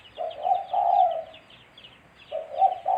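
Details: Spotted dove used as a trapping lure, repeated soft low cooing in short and longer drawn notes, with busy high chirping of other small birds in the background.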